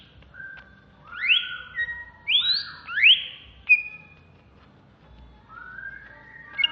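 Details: Caged greater green leafbird of Alas Purwo origin in Jatiasih, Bekasi, singing excitedly: three long rising whistled swoops with lower overtones, a sharp note, then a quiet gap and a soft final whistle.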